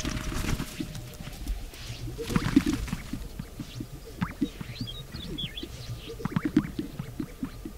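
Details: A greater sage-grouse (Centrocercus urophasianus) struts in courtship display at a lek: soft swishes and low, hollow popping gulps every couple of seconds, with faint chirps of other birds in the background.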